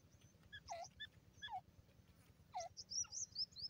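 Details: Calls of a grey francolin: loud, grating notes that drop sharply in pitch, given in quick pairs, followed by a run of high twittering chirps from another bird over a steady low hum.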